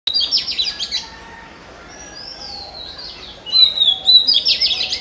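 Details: Oriental magpie-robin, the national bird of Bangladesh, singing clear whistled notes: bright warbled phrases at the start, then long sliding whistles and a loud burst of rich, fluttering notes near the end.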